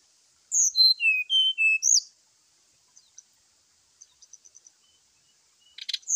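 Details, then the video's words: Fighting call of a Brown-chested Jungle Flycatcher at morning, meant to provoke other birds: a descending cascade of about eight bright whistled notes, then quiet ticking chips and a final burst of rough, scratchy notes. "SUARA SRDC TARUNG DI PAGI HARI"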